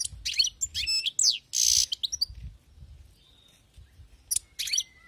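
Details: Wild-caught European goldfinch: quick high twittering and sweeping notes with a rasping buzz, then a quiet pause and two brief twittered bursts; low rumble underneath.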